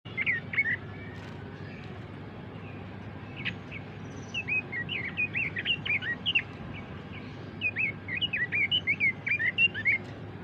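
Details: Pekin robin singing: bursts of quick, varied warbling notes around the upper-middle range, sliding up and down, in two main phrases with brief pauses, over a low steady background hum.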